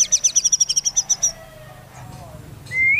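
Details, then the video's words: White-rumped shama song for provoking rival shamas into song: a rapid high rattling trill of about a dozen notes, a pause, then a single rising whistle. "MURAI BATU BAKAL GACOR EMOSI DENGAR ISIAN MURAI BATU INI"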